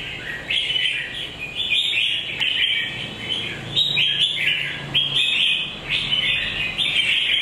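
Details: Repeated cheerful warbling from a red-whiskered bulbul: rich, slurred whistled phrases about one per second, bouncy and rolling, with a low hum faintly underneath.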